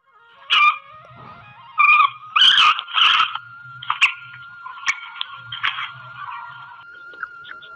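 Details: Female black francolin calling: harsh, rasping bursts repeated irregularly, some doubled, separated by quieter gaps, over a steady high background tone and faint low hum.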